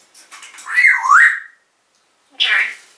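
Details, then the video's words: Indoor caged African grey parrot, 2012, in a talking session about the owner's mother: a clear whistled phrase that dips and climbs again, silence, then one short bright whistled note. "Jerry The African Grey Parrot. Jerry Talking In His Cage.."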